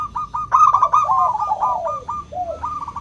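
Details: Local zebra dove song in the clear 'crystal' style, used to coax silent doves into singing: dense, overlapping runs of quick cooing notes that slide downward, with a second bird's coos mixed in.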